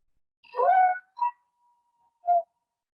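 Barred Owl giving a harsh, wavering wail that breaks off, followed by two short, hollow hoot-like notes about a second apart.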